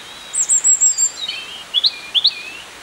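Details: European robin in full song at Peasholm Park, Scarborough: very high, sweet sliding notes that drop into lower, slurred twittering and paired rising chirps, over soft background hiss.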